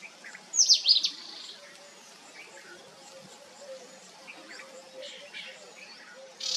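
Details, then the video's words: Sunbird family group: one loud cluster of high, falling chips early on, soft scattered twitters after, and a steady high insect hum throughout. "Cute Sunbirds Family"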